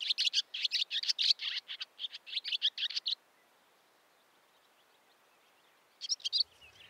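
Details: Barn swallow giving a fast burst of high, sharp twittering chirps for about three seconds, a pause in near silence, then another short twittering flurry.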